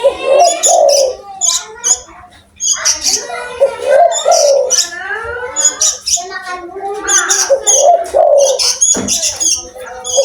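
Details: Loud, actively calling spotted dove from Indonesia, its low rolling coos repeated through the recording, mixed with plentiful high-pitched chirping and twittering from other birds and one sharp click near the end.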